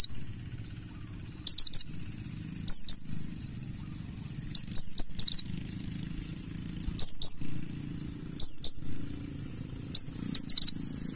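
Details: Wild-style mountain white-eye of the buxtoni form, a lure to get other white-eyes singing: thin, sharply descending high notes in pairs and triplets, repeated irregularly every one to two seconds for eleven seconds, soft background hum.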